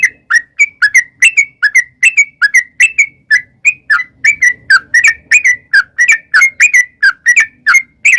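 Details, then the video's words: Yellow-vented bulbul in long rapid 'ropel' song, used as a lure to make other bulbuls answer: steady run of short, bright, slurred notes, each dipping then rising, about three per second without pause. "trucukan gacor ROPEL PANJANG buat pancingan trucukan agar bunyi jadikan burung trucuk gacor NYAUT"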